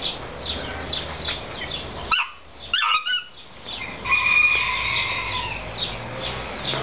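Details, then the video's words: A Sri Lankan (Lafayette's) junglefowl crows in short, clipped, harmonic phrases: sharp falling notes followed by a drawn-out nasal note, with other birds faintly in the background. "song of a lafayette junglefowl"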